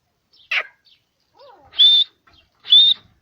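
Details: Grey francolin in its natural habitat in Pakistan gives two loud rising whistled notes about a second apart, after a brief sharp click and soft low chirps.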